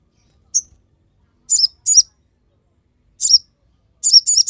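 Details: Crested jay, recorded to train and attract other birds: a short high whistle, then paired buzzy chirps and a single burred note, separated by pauses of a second or more, on a silent background.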